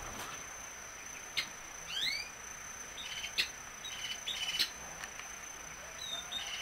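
Violaceous euphonia giving a loose string of high chirps, rising slurred whistles and sharp ticks, scattered irregularly over a steady thin high insect-like whine.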